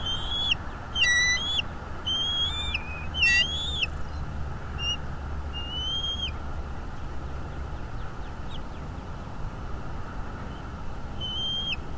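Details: At a North East Florida nest, a bald eagle gives shrill, piping whistled calls on 22 February 2022, 08:30 morning nest-cam footage. A quick chattering burst of sharp notes opens the sequence, then sparser drawn whistles follow against a faint rumbling hum.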